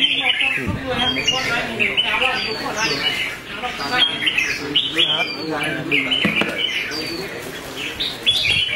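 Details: Red-whiskered bulbul, a contest bird praised for its fighting temperament in competition singing, gives bright, quick warbled whistles in short repeated bursts, over steady chattering from other birds and a man talking in the background.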